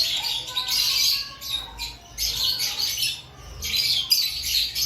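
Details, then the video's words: Lovebirds in an aviary before breeding season, noisy rasping squawks in three clustered bursts with a few thinner chirps between. "Before breeding season Check your love Bird activity"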